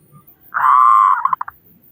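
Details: Local zebra dove with a big voice, heard as a lure to get other doves singing: a single long, rich buzzing coo ending in three quick clipped pulses, with faint low sounds behind.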